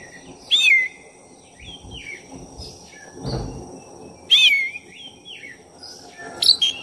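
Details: Black-chested oriental magpie-robin in full, non-stop song, used as a lure to stir up another magpie-robin: high, sharp whistled phrases with sweeping slurs, in three bursts separated by pauses, over a steady high hum and low background noise.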